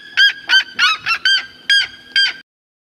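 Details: Red-legged seriema (Cariama cristata), call.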